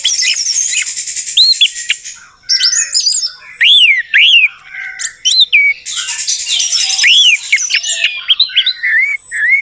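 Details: Orange-headed thrush song meant to make a non-singing bird respond: long buzzy phrases broken by loud arched whistles and squeaky chirps, delivered almost without pause.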